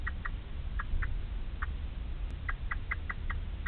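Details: Male Eurasian blackbird on his first feeding attempt at the nest, calling to unhatched chicks that give no reply; a string of brief, sharp, evenly pitched notes, some spaced, then a rapid run, over low hum.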